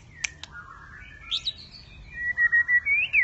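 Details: Contest singing by a white-rumped shama: two sharp clicks, a thin wavering high phrase, then a run of evenly spaced, loud whistled notes near the end.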